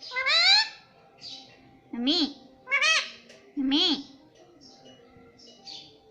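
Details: Indoor pet ringneck parakeet talking, said to say "Mitthu Mitthu": four short, strained, voice-like syllables. Each rises sharply and falls. Softer squeaky bits come between them in a quiet room.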